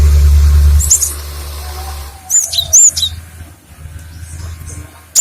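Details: Cinereous tit song used as a lure and for training other birds: sharp, very high whistled notes bending up and down, given in two quick bursts midway, over a steady low hum and rumble.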